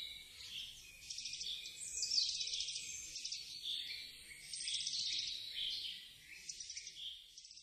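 Eurasian wren song: a loud, rapid, high-pitched outpouring of trills and shrill notes, running almost continuously with brief pauses.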